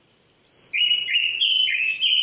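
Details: Japanese thrush singing on an April 2019 morning at 800 m in Saitama Prefectural Forest, Chichibu, Saitama, Japan: a loud, sustained whistled phrase of linked, slightly warbling notes that lasts nearly two seconds, with faint high chirps behind.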